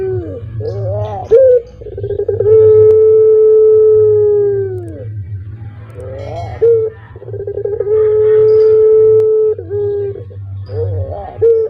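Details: Indonesian puter pelung, a caged Barbary dove known for its "kuk geruk kwaakk" voice, repeats its call twice: stuttering rolled notes leading into a long, drawn-out, steady coo that sags at the end, over constant low humming.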